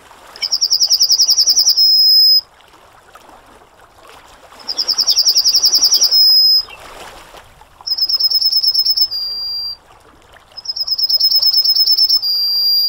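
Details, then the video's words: Yellowhammer singing a repeated phrase four times: a rapid chain of high notes ending in a long sustained note, with pauses of about two seconds between phrases. "Yellowhammer Singing (Emberiza citrinella)"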